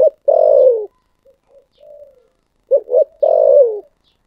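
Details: Spotted dove with a thổ sấm voice: a loud, burry, descending coo, soft quiet coos, then a double clipped note and another long, hoarse, falling coo. The recording is clean with no other sounds.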